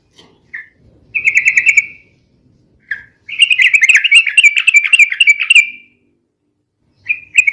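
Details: A busy sooty-headed bulbul in long, rapid ropel song: brief notes and a steady trilled phrase, then a nearly three-second run of fast wavering, bubbly notes, ending with another short note.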